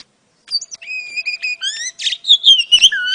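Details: Oriental magpie-robin female calling to draw a male: after a short silence, clear whistled notes repeat about four times per second, some level and some falling, ending in louder slurred chirps and a brief rasp.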